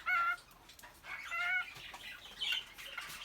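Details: Courting male cockatiel in an indoor aviary, whistling to attract a female: two clear whistled phrases of steady, ringing notes, separated by a short pause, with scratchy background chatter from other caged birds.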